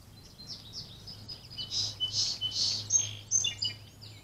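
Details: Wild birds at the edge of a small patch of woods behind a house in Virginia, recorded by a trail camera on 24 April 2020: several high chirping and warbled phrases overlapping, with a brief buzzy trill near the end and faint low hum.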